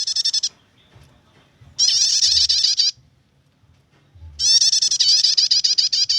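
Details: Nyetater-style chatter of a prinia, a song meant for bird luring and song tutoring: a short burst, then two longer runs of rapid, bright, ringing notes repeated evenly, with a soft low background hum between.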